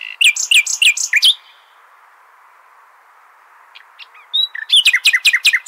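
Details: Common nightingale singing the Hasaniya song style, played to tutor goldfinch and hybrid chicks: a burst of rapid, sharp, descending chip notes, a quiet gap with a few faint notes, then another fast run of bright repeated notes.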